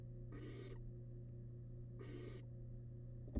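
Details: Barn owl nestling, wild, in a research nest box while feeding on a large rabbit remain. Two drawn-out noisy hisses about one and a half seconds apart over a quiet electrical hum.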